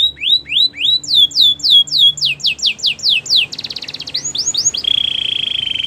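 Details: Belgian canary singing: rapid descending whistled sweeps, three to four per second, that step higher, then a fast buzzy trill and a sustained rolling trill to finish, over a faint low hum.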